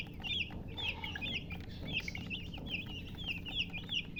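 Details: Many baby chicks cheeping in clear, high, falling peeps packed closely together, a faint lower cluck early on and low background rumble.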